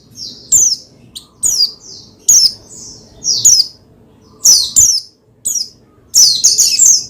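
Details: Oriental white-eye (pleci) calling to excite another pleci to sing: a lively series of sharp, high, descending chirps, some doubled, with short pauses between them and a faint low background hum.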